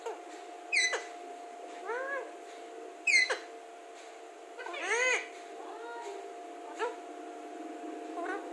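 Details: Talking Alexandrine parakeet gives a series of short arched voice-like syllables mixed with sharp high clicks, loudest around the middle, a mumbled, irregular run of speech-like sounds over a steady hum.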